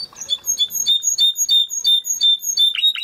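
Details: Timbrado canary song for training: evenly repeated high chiming notes, roughly six each second, bubbling and metallic with a slight swoop at the end.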